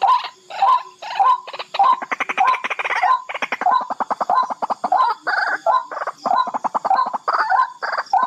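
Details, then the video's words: Barred rail giving loud, harsh, rapid rattling notes in short repeated bursts, nearly without pause, over a faint high background hum. "BARRED RAIL CALL SOUND"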